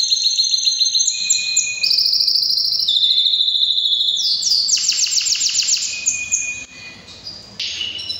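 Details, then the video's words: Canary in full breeding-season song, moving through several high trilled tours and quick repeated notes, fading quieter toward the end. "Canary bird most powerful singing during breeding season"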